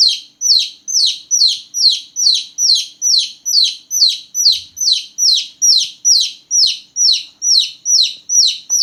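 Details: Newborn baby chickens chirping a lot at night: about twenty shrill, downward-gliding peeps in an unbroken, very regular train, roughly two each second, loud and clear.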